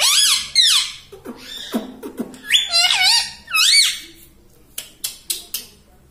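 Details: Pet rose-ringed parakeet said to talk and say "mummy" and "papa": loud, high, harmonic squawky syllables with sweeping up-and-down arcs, in bursts, then a few short sharp clicks near the end.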